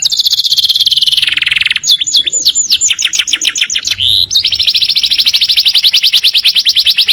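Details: Canary song in the morning: a long high fast trill, a burst of varied chips and slurs, then another sustained rapid trill.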